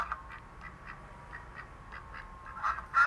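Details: Farm duck quacking: a run of short nasal quacks repeated about three times a second, soft at first and louder in the last half second.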